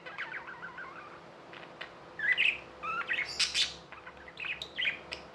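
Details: Pet budgies give quiet warbles, then louder bright chirps and squeaky notes in irregular bursts, with a faint steady hum.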